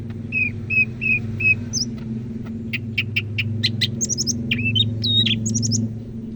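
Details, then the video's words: Greater green leafbird from Medan, North Sumatra, kept as a songbird: four even whistled notes, then quick clicks and high twittering phrases, over a strong low hum. "Burung Cak Ijo Medan Gacor"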